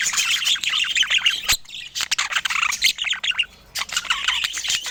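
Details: Pet budgerigars chirp and squawk in lively bursts of rapid, scratchy notes, broken by a loud click and a brief quiet spell before chattering resumes.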